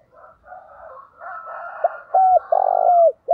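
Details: Decoy spotted dove calling in the countryside to lure wild doves. A rooster crows first, then the dove gives a low clipped note, a clear coo, a long rolling purred coo and a falling coo.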